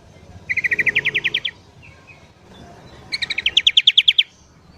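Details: Morning song of sooty-headed bulbul, lively and loud, for luring wild birds: two fast rhythmic trills of about ten to twelve bright notes each, rising slightly in pitch, separated by a short gap.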